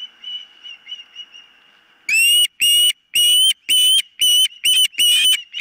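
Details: Osprey on a camera-monitored nest, 4 September 2023, as a bird nearly loses a toe: soft distant whistles, then a loud string of strong high yelping whistles repeated about twice a second.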